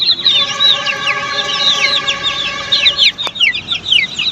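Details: Crowd of Australorp chicks on a poultry farm, rapid high-pitched peeps sliding downward, packed closely together, over a steady mechanical-sounding tone for most of the recording and a sharp tap near its end.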